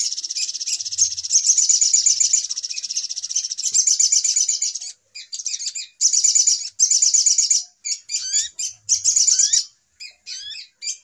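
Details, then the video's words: Sunbird lure sound used to draw birds into traps, noisy type: long bursts of high, rapid, buzzy chattering, then shorter separated bursts mixed with quick up-and-down whistled slurs. "Suara Pikat Ribut Burung Sogok Ontong Paling Mujarab"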